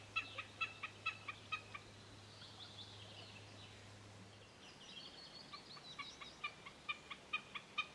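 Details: A common snipe in Kontiolahti, Finland, in summer 2008 gives a rapid, rhythmic string of sharp, ticking double notes, several per second, over a low steady hum that fades midway.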